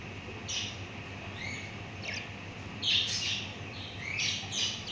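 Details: Hand-tamed budgerigars chirp and chatter in quick, scratchy bursts of high, buzzy notes.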